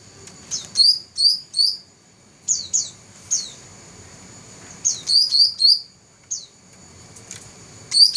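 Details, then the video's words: Song of a black-throated laughingthrush, a first-place competition champion recorded in 2014. High, bright whistled notes fall in short clusters of two to four, separated by quiet pauses, over faint low background rumble. "Burung cucak rante juara 1"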